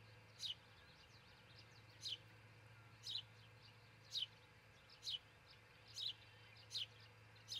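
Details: Osprey on its nest in Charlo, Montana, nest cam, predawn June 22, 2018; eight short, high, falling chirps at uneven one-second intervals over a steady low mechanical hum.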